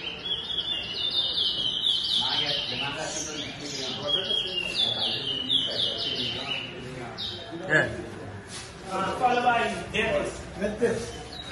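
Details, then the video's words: Towa towa, or chestnut-bellied seed finch, competing in a whistling contest in Rosehall Town, Guyana, 2022. A fast run of descending whistled phrases comes first, then sparser chirps under a crowd's chatter. "TOWA TOWA BIRD WHISTLING COMPETITION"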